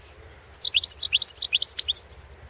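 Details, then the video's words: Competition singing from a European goldfinch at the 2016 world goldfinch song championship: a fast, continuous stream of sharp, high tinkling chirps lasting about one and a half seconds, with faint low rumble beneath. "World championship in Goldfinch Song 2016"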